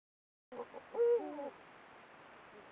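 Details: Eurasian eagle-owl pair meeting at their gathering place as breeding nears, caught by camera trap: excited guttural contact sounds, a brief cluster of low throaty notes and a harsher rising-falling call, over steady background hiss.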